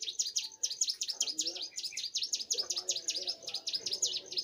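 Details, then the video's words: Young bar-winged prinia singing energetically: an even stream of loud, high, clipped notes, each a quick down-up flick, repeated several times a second, with soft low background noise. "prenjak gunung muda gacor"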